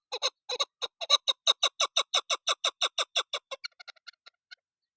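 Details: Female chukar partridge (desi chakor), used as a hunting call, gives a fast run of about twenty harsh clucking notes that speed up, then fade into thinner scattered chips.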